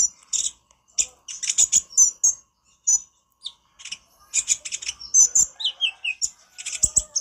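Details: Konin master recording for training birds: bursts of shrill high chirps and chattering notes, separated by short silences, with a few downward-sliding whistles near the end.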